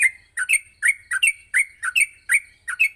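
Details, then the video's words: Morning chirping of a yellow-vented bulbul, recorded to train birds to sing steadily: loud, closely paired chirps with a falling then rising shape, repeated in a fairly even pulse about every third of a second, faint low rumble beneath. "masteran pagi burung trucuk untuk melatih trucuk agar cepat ngropel"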